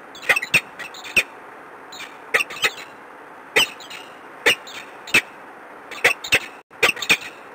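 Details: Peregrine falcon at the Palace of Culture and Science in Warsaw, 13 March 2015, late morning: harsh, clipped broadband calls in irregular bursts of one to three notes, over a low steady background hum.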